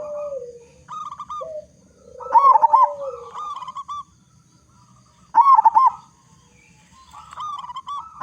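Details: Strong-voiced local zebra dove singing as a lure for other doves; two loud trilling coo phrases stand out, separated by softer repeated notes and a low gliding coo.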